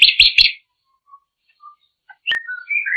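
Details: Drongo song opening with three quick harsh buzzy notes, followed by faint soft whistles and ending in clear, sliding, downward whistled phrases.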